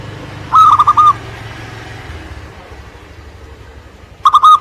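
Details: Local Indonesian zebra dove in vigorous song: two short phrases of rapid, evenly spaced cooing notes separated by about three seconds of a quiet, noisy gap.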